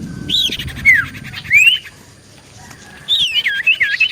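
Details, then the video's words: Common iora singing actively, used as a lure to draw replies from other ioras: slurred whistles that rise and fall, with short pauses between phrases and a busy run of looping notes at the end. "Burung Cipoh Gacor Pancingan"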